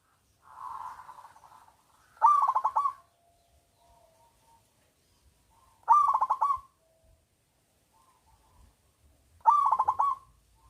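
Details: Zebra dove of a local strain with a loud voice, its song used to prompt silent doves to sing: a softer opening coo, then three strong stuttering coo phrases about every 3.6 seconds, with faint low background noise.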